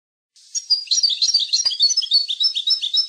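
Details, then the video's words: Maknin, the European goldfinch, singing for the tutoring of young goldfinches: a dense, unbroken stream of high, liquid twitters and chirps, about three per second, lively and jangling throughout. "chant maknin pour écolage jeune chardonneret"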